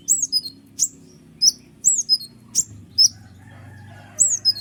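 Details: Noisy kolibri ninja sunbird song meant to provoke lazy songbirds and the ciblek: scattered high, thin descending whistles and chips, spaced irregularly with short silences between them.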